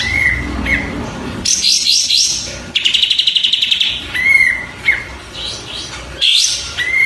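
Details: Oriental white-eye song from a tutor recording for training songbirds: clear whistled notes near one pitch, bursts of bright chattering phrases, and a fast buzzy rattling trill, separated by short pauses.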